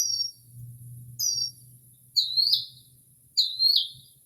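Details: Mockingbird singing late at night in early spring, mimicking other birds: two high thin whistles followed by two louder rising then falling slurred notes, over a low steady hum.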